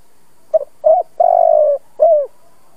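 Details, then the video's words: Old decoy spotted dove cooing to stir other doves into calling. The phrase runs short stutter, mid coo, long throbbing coo easing downward, then a falling final coo, in a still setting. "Tiếng chim cu gáy kích bổi"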